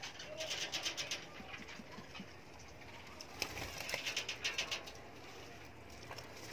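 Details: Soft, low diamond dove coos come faintly through steady rustling, fluttering wings and scattered clicks from a crowded aviary colony of breeding pairs.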